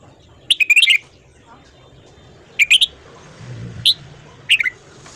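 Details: A red-whiskered bulbul gives its morning song in the 'ché' style. A fast rippling run of high notes opens, followed by three shorter bright chirped phrases against a quiet, humming background.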